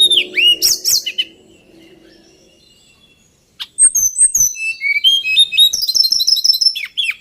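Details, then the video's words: Male White-browed Shortwing song: opening slurred, swooping notes, a quiet gap over faint low background hum, then a fast, jumbled run of high twittering chips and short whistles. "Tledekan Gunung Jantan"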